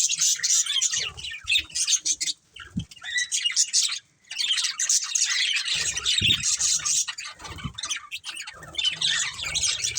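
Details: Pet budgerigars of one family chatter in long spells of high scratchy warbling and sharp chirps, with two brief silences and occasional soft low knocks between bursts.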